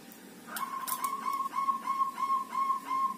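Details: Local zebra dove kept five days in a group cage, singing freely: a sustained, steady-pitched rolling coo with rapid pulsing beats, running about two and a half seconds after a few faint clicks.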